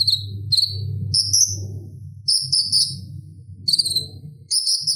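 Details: Konin, the Purple-throated sunbird, in relaxed chattering song meant for tutoring kolibri ninja; high sharp notes with ringing overtones come in clusters separated by brief pauses, with a constant low droning hum underneath.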